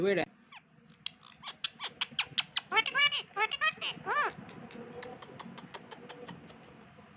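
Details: {'caption': 'Pet Indian ringneck parakeet chattering: wavering, warbled sweeps and squawky syllables, with a longer rising and falling tone in the middle, followed by a string of dry clicks and ticks.'}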